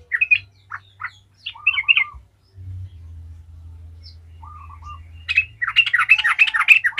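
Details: Yellow-vented bulbul song used as a lure to get other bulbuls singing: scattered short notes and a few soft low phrases over a faint hum, ending in a loud, rapid, chattering burst.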